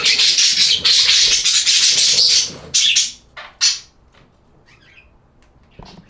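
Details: Budgerigar chatter: intense, high, hissing warble for nearly three seconds, then a few sharp chirps and near silence with faint distant twitters.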